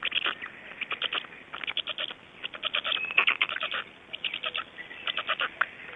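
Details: Black storks at 05:15 on 26 May 2012 in Estonia give clustered bursts of clattering pulses separated by quieter gaps, more spaced out than a continuous rattle.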